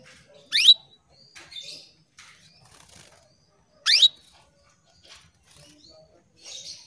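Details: Female canary calling males, a lure for male song: two sharp upward-sweeping chirps about three seconds apart, followed by softer short twittering notes and faint rustling in a quiet indoor setting.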